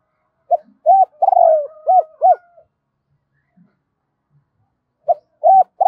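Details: Spotted dove giving its double call, used as a decoy to lure other birds: soft, low coos in short runs, one longer purring note mid-phrase, a pause, then a fresh pair of coos begins.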